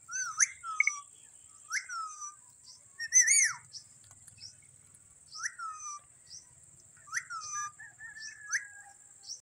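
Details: Indian ringneck parrots, including a baby: sharp rising-and-falling whistled squawks in short bursts, some scratchy chatter, against a steady high hiss.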